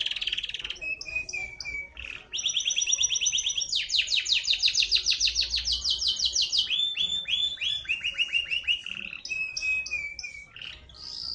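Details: Grey canary delivering a long, unbroken song of high rolling trills, fast rattling series and steady buzzy notes, with pitch and tempo changing between sections and light background noise.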